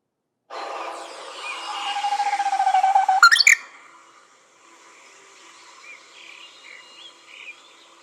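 A Korean bush warbler holds a long, slowly rising whistle for over two seconds, then breaks into a quick, sharp flourish; faint distant bird notes follow.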